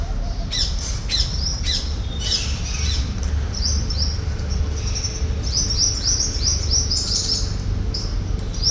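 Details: Several uncaged Alexandrine parakeets with chicks, eating and chirping, apparently in India, give harsh, scratchy chirps in quick bursts, calling over one another above a steady low rumble.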